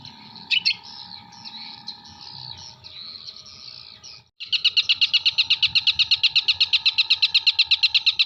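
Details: Long-tailed shrike from Jember singing imitated kuntilanak, sparrow and tengkek buto material: scratchy warbling with one sharp accent, a break, then a fast, regular, buzzy trill sustained for several seconds.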